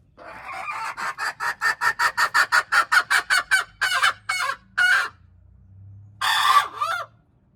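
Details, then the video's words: Domestic hen crowing on January 21, 2025: a long train of rapid, hoarse pulsed notes, some twenty in quick succession, slowing into a few longer bursts, then a final harsh, wavering cry. "hen crowing, poj qaib qua poj qaib seev"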